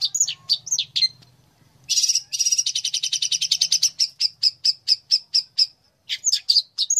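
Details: Master-bird recording of a fighter long-tailed shrike: varied twittering notes, a buzzy grating burst, then a long, even series of clipped chips that slows before more twitters.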